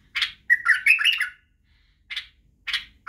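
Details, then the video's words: White-eared bulbul of the Badrawi type singing for young bulbuls to learn from: a quick bubbling warbled phrase with rising and falling slurs, followed by two separate sharp, clipped notes. "لتخريج وتعليم افراخ البلابل على التغريد و البرواز وطك الجناح بلبل بدراوي"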